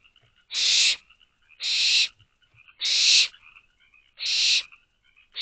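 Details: Hungry barn owl owlets in an owl box at night, late May, begging for more food: loud broadband rasping hisses roughly every second, separated by faint wheezy notes.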